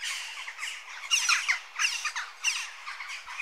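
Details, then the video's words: Western jackdaw calls: harsh, squawking notes in quick clusters, a bright burst around the middle, overlapping calls throughout, no other clear sounds. "Jackdaw Bird Call Bird Song"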